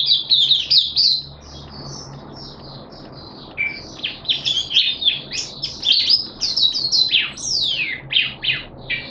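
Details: Malaysian Oriental white-eye (mata puteh), a caged bird in open song display, delivering fast high twittering, a short lull, then renewed rapid chattering warbles with sweeping slurred notes near the end, over a low hum.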